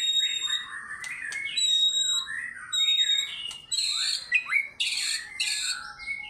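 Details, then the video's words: Fighter-style White-rumped shama song with its varied repertoire: sustained high whistles layered over warbled slurs, then dense, loud buzzy bursts and quick rising notes in the second half. "MURAI BATU GACOR FIGHTER BONGKAR ISIAN"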